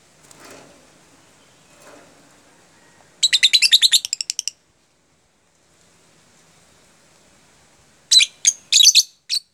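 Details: Caged lovebird in "jeda rapat" style, a rapid tightly spaced song used to train other lovebirds: a fast burst of high chattering trills, a pause, then two short bursts near the end.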